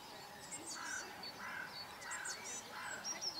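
Common pochard giving harsh, rasping bursts about every half second, with thin high squeaky notes mixed in over faint background noise.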